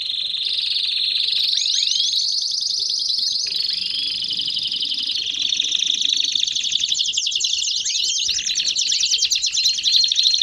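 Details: Canary warm-up song in the 'baderna' style to excite other canaries: sustained high rolling trills that shift in pitch, broken by quick downswept notes, continuous and loud throughout.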